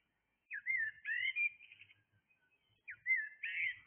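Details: Blackbird singing early in the morning, short clear fluting phrases with a downward slide then rising whistles, a pause, then another similar phrase.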